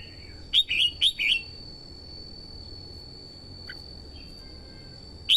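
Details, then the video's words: Female red-whiskered bulbul in Vietnam, singing to stimulate males and lure wild birds: a quick burst of four clear, bright whistled notes, then a pause and one more lone note, over a faint steady high whine. "TIẾNG CHIM CHÀO MÀO YẾU LỬA HÓT KÍCH BỔI MỞ MỎ HÓT SỔ CĂNG LỬA"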